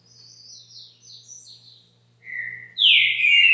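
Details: Green-winged saltator singing in the caxinguelo bitola style at a home: a run of thin, high whistled notes in quick succession, a pause, then a lower whistle and a loud, full rising-and-falling whistled phrase, with a faint steady low hum.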